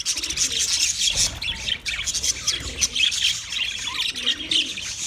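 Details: Budgies chirping in a bright, rapid warble with scratchy squawks and squeaks, plus faint low cooing notes in the background.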